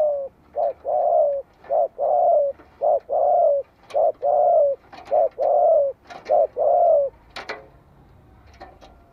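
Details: Spotted dove calling as a decoy to draw answering calls from other doves. A rapid run of mellow coos, alternating short and longer notes about once a second, with scattered sharp clicks toward the end.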